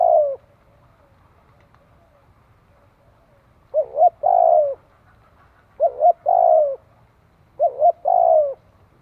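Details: Spotted dove cooing to train young birds and provoke fighting spirit: three similar phrases about two seconds apart, each a quick double note followed by a longer, sliding, mellow coo, with a quiet low hum beneath.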